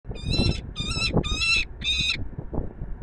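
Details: Peregrine falcon at the Palace of Culture and Science in Warsaw, Poland: four drawn-out, harsh, harmonic-rich wailing calls, each about half a second, given in quick succession over a steady low city rumble.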